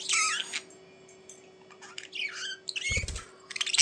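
Budgerigar chatter: scratchy, warbling bursts of squeaks and chirps in short runs, with a brief low thump and a faint steady hum underneath.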